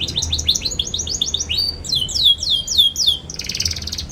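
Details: Juvenile canary song for tutoring other young canaries: a fast series of high trilled notes, then loud descending swoops repeated about twice a second, closing with a dense buzzy rattle.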